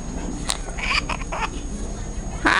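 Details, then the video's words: A pet severe macaw talks, saying words like "Hi", "Hello", "What?" and "Knock knock" in harsh, raspy, speech-like squawks in short bursts, ending with a louder grating cry; a person's voice is faintly heard. "Severe Macaw Talking"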